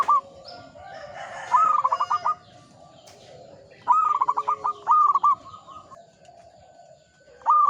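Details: Local Indonesian zebra dove (perkutut) singing actively in the manggung style: bursts of rapid, staccato cooing notes at a mid pitch, repeated in several phrases, with softer lower cooing from other doves behind.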